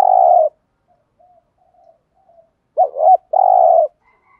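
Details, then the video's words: Spotted dove in 'thúc gù' calling meant to lure wild doves. A long purring coo ends, then soft murmurs follow, then a dipping double hoot and another sustained buzzy coo. "tiếng chim cu gáy thúc gù/ chim cu gáy kích bổi nhanh nổi, bổi nghe nhanh nổi gù"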